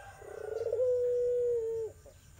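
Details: Irak/tangerine barbary dove calling as a lure for a dove gone quiet. One long coo that begins rolling and tremulous and settles into a smooth, level tone before falling off.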